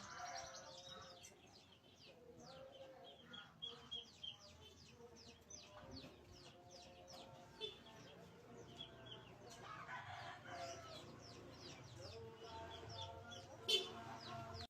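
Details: Lovebird singing in a steady stream of rapid, high, scratchy chirps and twitters, dense and unbroken, with a louder lower harsh call near the ten-second mark and faint low background hum.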